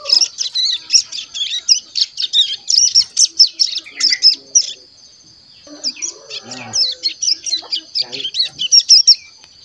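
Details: Caged one-month-old ciblek gunung chick, tutored with recordings of plain-throated sunbird and canary, actively twittering (ngeriwik) while learning to sing: dense rapid high chirps and trills in two bursts separated by a quiet gap, with faint lower sounds beneath.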